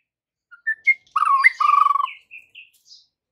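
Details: White-rumped shama lure song for afternoon use with young birds: a few rising whistled notes, then a harsh buzzy churring stretch and soft fading whistles.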